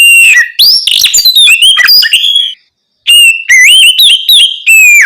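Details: Night-time ngeplong song of an Oriental magpie-robin meant to coax others into replying: a burst of ringing slurred whistles and quick notes, a brief pause, then more bright, wavering whistled phrases.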